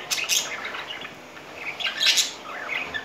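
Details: Courting budgerigar pair in spring, pet birds: loud, scratchy squawks and high chirps in quick clusters with a brief quieter stretch over a hissy background.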